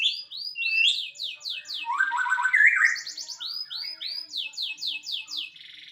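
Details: White-rumped shama repeating loud upswept whistled notes in fast series, broken by a harsh chattering, buzzy passage mid-song, then more ringing rising whistles.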